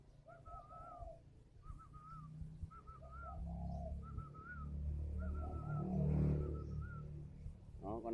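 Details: Captive spotted dove at a Ba Vì bird garden in northern Vietnam: a series of short, repeated coo phrases with higher whistled notes. Background rumble swells in the middle and a brief harsh sound ends the recording.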